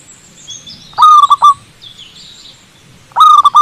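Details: Wild zebra dove perched on a cable, singing its long cooing song: two loud bursts of soft, trilled coos, each a quick run of three or four rolling notes, with faint high twittering of other birds between them.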